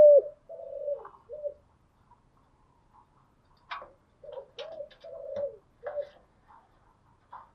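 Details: Morning cooing of a spotted dove, a kept bird: soft, fairly distant coo notes in loose groups, several short flat coos followed by a longer falling one, with faint clicks between.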